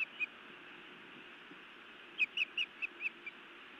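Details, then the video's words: Female osprey scolding her mate at a Montana nest on the evening of 31 May 2017, before biting him; a quick burst of six sharp, high whistled chirps follows one early pair, over a steady broad hiss. "Feisty Iris scolds then bites Louis a time or two"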